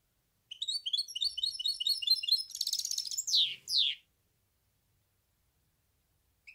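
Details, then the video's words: Goldfinch hybrid (mule) song: a quick run of high twittering notes flows into a dense buzzy trill, then two sharp downward-sweeping notes, followed by silence. "تغريد النغل.. هجين الحسون melez ötüşü"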